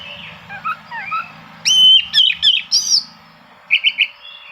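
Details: Oriental magpie-robin singing to seek rivals, used to provoke quiet birds into singing: short whistled, slurred phrases and rising sweeps in spaced bursts, with faint low hum in the background.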